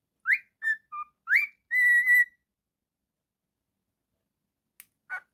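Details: Pet cockatiel whistling rising swoops, a couple of short level and lower notes, then a long sustained whistle, followed by silence and a faint later chirp.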